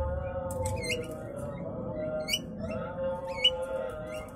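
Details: An aging male Javan myna calls for a mate while pursuing a younger female who turns him down. Sharp upslurred squawks sound in small clusters, backed by a continuous low tonal drone.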